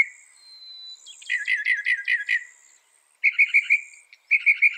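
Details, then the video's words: Northern mockingbird, a mimic credited with 200 sounds, in songbird training audio: a thin whistle leading into a burst of harsh scratchy notes, then quick chattering phrases in short bouts, with faint insect hum. "Masteran suara burung NORTHERN MOCKINGBIRE bisa merekam 200 suara"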